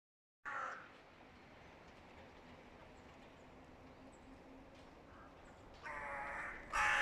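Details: Hooded crows from two rival groups calling loudly as the mating season nears: a harsh, broad caw opens, a quieter stretch follows, then two more loud, raspy caws close the passage.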